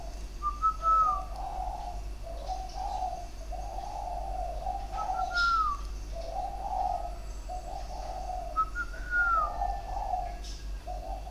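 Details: Spotted dove with a sharp, firm voice, cooing in phrases of three or four notes, recorded 23 February 2020; low mellow coo phrases of several notes repeat steadily, while another bird gives a clear rising whistle between them.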